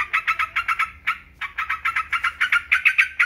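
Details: Yellow-vented bulbul giving a fast, scratchy chatter of doubled notes, a short break near the middle, then the notes resume and grow louder and brighter; low background hum.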